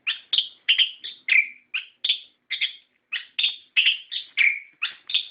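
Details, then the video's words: Orange-headed thrush singing a lure song meant to provoke captive birds into answering, in the loud, continuous gacor ngeplong ngerol style: quick whistled and chattering phrases, each under half a second, following one another with short gaps. No other sounds. "Pancingan Suara Burung Anis Kembang Gacor Ngeplong Ngerol"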